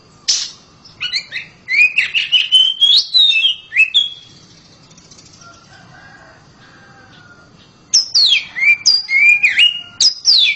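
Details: Loud song of a home-kept oriental magpie-robin: two bursts of rapid, varied whistled phrases with sweeping rising and falling notes and sharp chips, separated by a quiet pause of several seconds.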